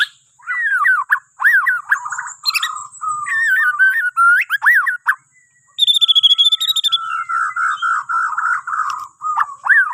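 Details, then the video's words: White-rumped shama of the Borneo type, song played in the morning to encourage other birds to sing; loud looping whistles and sweeping slurs, a burst of high rapid ticking notes near the middle, then fast warbling, over a faint constant high whine. "Kicauan Murai Batu Borneo❗Cocok Buat Pancingan Dipagi Hari"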